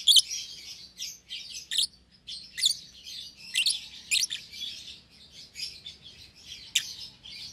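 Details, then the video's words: Two young caged lovebirds, a green opaline and an albino, chattering: a steady stream of thin, high, rasping chirps with sharper squeaks popping out every second or so, in a quiet room. "Lovebird Chirping Sounds"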